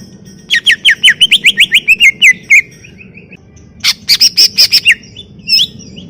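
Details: A greater green leafbird pours out a fast descending string of whistled notes, then, after a pause, a burst of high sharp chirps, over a steady low background noise.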